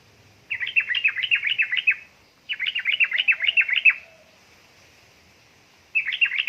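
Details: Yellow-vented bulbul, a female calling the male, used as a lure to stir lazy birds into singing; fast chattering bursts of bubbly notes, roughly two seconds long, separated by short pauses.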